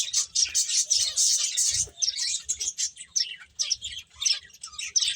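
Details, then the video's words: Several finches feeding, giving busy high chirps in bursts, loud and packed at first, then breaking into separate short chirp clusters about two to three per second. "Cute Birds Chirping Sounds | Beautiful Finches Eating"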